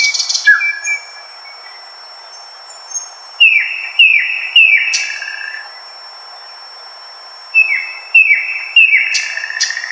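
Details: Thrush Nightingale in Poland singing from dense undergrowth: two loud bursts of rapid, repeated hard, rattling notes a few seconds apart, over a thin, steady high tone.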